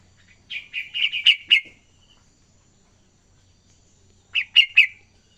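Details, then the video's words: Young yellow-vented bulbul learning to sing: two bursts of bubbly, chattering notes, a run of five quick warbled notes, a pause of two seconds, then three more short notes, with a faint low hum behind. "anak trucukan belajar ngacor"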